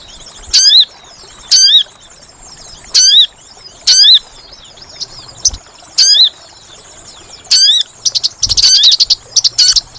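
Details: Sooty-headed bulbul call used to lure birds for trapping: a series of shrill, down-bending notes about once a second, ending in a quick chattering burst of rapid chirps.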